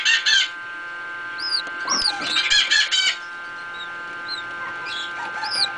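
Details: Newly hatched pheasant chicks in an incubator give thin, high peeps and upslurred chirps, several overlapping in quick bursts, over a steady mechanical hum.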